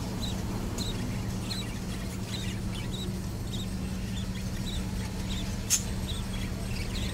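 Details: Budgerigars in a breeding aviary in winter: faint, high chirps repeat about every half second over a steady low mechanical hum, with one sharp click near the end.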